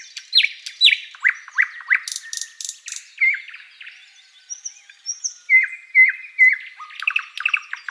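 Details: Thrush nightingale singing in a spring forest at sunrise: varied phrases of sharp downslurred chips, dry rattling bursts, and clear whistled notes repeated in short series, with a bright high twittering run near the end.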